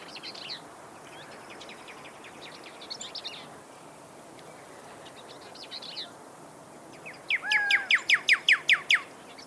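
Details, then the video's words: Pyrrhuloxia, or desert cardinal, singing: after faint scattered high chips, a loud run of about eight sharply downslurred whistled notes comes quickly near the end, over a soft steady background hiss. "Pyrrhuxolia Sound Bird Song"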